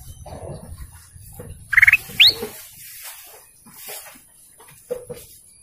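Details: Golden canary producing a brief pulsed, buzzy call immediately followed by a single sharp upward-sweeping whistle, then quieter scattered faint chips over soft background rustling.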